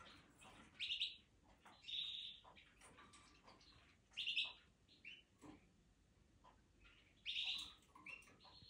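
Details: European goldfinch singing in the Canary Islands during the 2023 breeding season, in bright, tinkling bursts of twittering notes, each phrase about a second long and repeated every few seconds, with faint chirps between.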